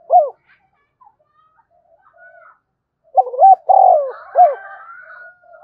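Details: Spotted dove provoking a rival with its cooing: a short closing coo, quiet faint chirps, then a full three-part phrase of rising, long falling and short curled notes over thin high bird whistles.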